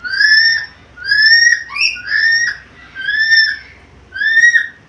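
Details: Black-capped lory, said to be a vocal talker with varied sounds; loud, slightly rising whistled notes repeated roughly once a second, with a brief pair of sliding notes mixed in partway through.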